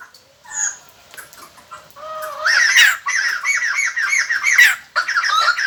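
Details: White-crested laughingthrush decoy song used to lure wild birds: scattered chattering notes, then a loud run of rapid, repeated, cackling laughing notes with harsh harmonics.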